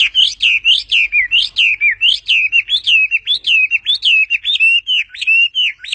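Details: Bird giving a long, continuous song of clear whistled notes that sweep down from high, strung together in quick succession over six seconds in a quiet setting.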